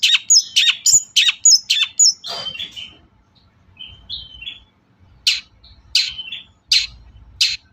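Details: Long-tailed shrike in an Indonesian lure recording: a quick run of high sharp chirps, a brief soft low phrase and a pause, then single high notes spaced under a second apart.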